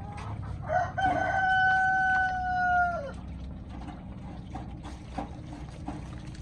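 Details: A drawn-out chicken crow lasting about two seconds, with a rough, stuttering start, then a clear sustained tone that slides down at the end. Scattered clicks and rustling noise follow.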